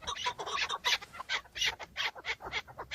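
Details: Male chukar partridges sparring in breeding season, recorded from inside a car: spaced, harsh chattering notes in short bursts, higher and more scattered than a steady series.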